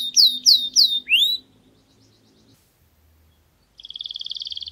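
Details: Canary singing in a garden: four loud downward-swooping whistled notes, then a short silence with a faint low hum, followed by a quick, buzzy high trill.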